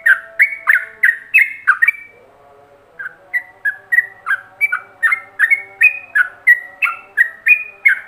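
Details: Yellow-vented bulbul giving ropelan-style song, meant to be copied by other bulbuls: bright whistled notes about three per second, each a quick slurred rising or falling phrase, pausing for a second midway; a steady low hum runs underneath.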